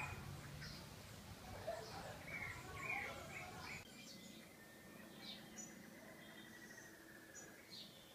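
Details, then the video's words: Thrush defending its nest of chicks in spring, October 2014, Barra do Jucu, Vila Velha, Espírito Santo, Brazil, gives sharp, high alarm notes scattered at an irregular pace over a noisy background with low murmuring early on; a chick awaits food. "Sabiá defende fortemente o ninho com filhotes!"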